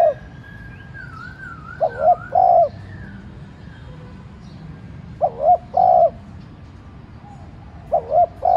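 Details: Captive decoy spotted dove giving a soft urging 'thúc' coo meant to stir wild doves into calling. Three low phrases, a quick double note followed by a longer mellow coo, with a faint whistling bird early on.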